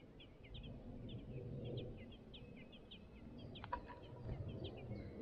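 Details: Five Song thrush nestlings in the nest calling to be fed. They give a rhythmic string of short, thin, high chirps, several each second, broken by a sharp click. A low rumble runs underneath.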